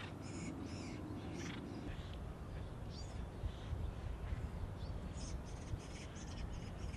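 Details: Noisy Acorn woodpecker family with young about to fledge, urban nature area along the American River: repeated harsh, raspy bursts in irregular clusters over a continuous low rumble.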